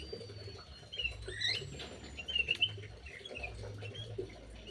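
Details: Aviary birds being fed and bickering: a few quick, high squeaky chirps and a brief twittered burst, amid light pattering and a low steady hum.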